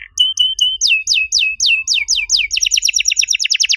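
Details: {'caption': 'Canary song used as a master to lure other canaries into singing: a few clipped flat notes, then slower downward slurs that quicken into a fast, regular series of high sweeps.'}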